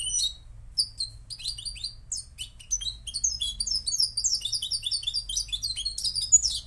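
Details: Song of a Moroccan goldfinch: a few scattered tweets open, then a building stream of quick, high liquid twitters and short trills; low hum in the background.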